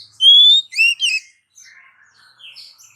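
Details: Oriental magpie-robin female calling the male, a sought-after lure sound: one clean rising whistle, two short inflected notes, then faint quiet twitters.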